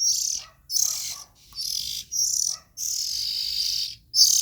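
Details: Raspy, hissing calls from young Oriental magpie-robins: about six bursts, the later ones longer and sustained, high and noisy with faint lower scratchy fragments.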